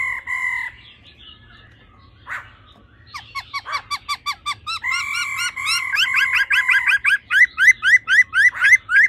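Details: Female laughingthrush 'ro ro' call used to excite males: a short nasal note, a pause, then an accelerating series of short upslurred notes that grows steadily louder and faster, several per second.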